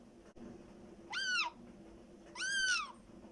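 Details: A black-headed caique (Pionites melanocephalus) gives two drawn-out, nasal, arching calls about a second apart. The calls are rich in harmonics and rather like a cat's meow, heard over quiet room hum; black-headed caique making funny noises.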